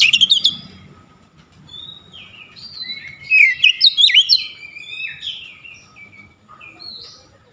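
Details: Oriental magpie-robin pouring out its repertoire in a "shooting" display: sharp high notes at the start, a string of varied sliding whistles, then a loud run of quick chirps, fading into softer whistling.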